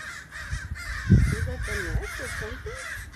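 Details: Crows in a growing flock, heard from indoors, keep up a harsh chorus of overlapping caws. A louder low thump and some wavering mid-pitched sounds, possibly voices, cut through the calling.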